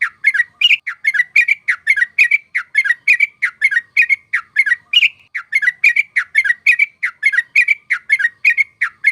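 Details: Trucuk (yellow-vented bulbul) song used as a trapping lure: a non-stop chatter of short bubbly chirps, several each second, with occasional higher, fuller notes standing out, in a clean recording with no other sounds.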